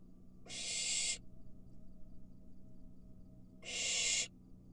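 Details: Barn owl fledgling inside a nest box while eating a mouse. Two harsh, breathy hissing screeches, each under a second long, come about three seconds apart over a faint steady electrical hum.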